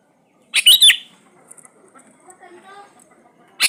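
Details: Sooty-headed bulbul lure sound meant to prompt lazy birds to sing: a loud rasping triple-pulsed burst, then soft scattered notes, and another harsh burst starting at the end.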